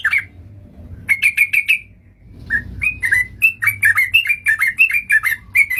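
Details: Lure recording of a sooty-headed bulbul for trapping birds: a single chirp, a quick cluster of four sharp notes, then a loose string of bright whistled chirps with slight rising and falling shapes.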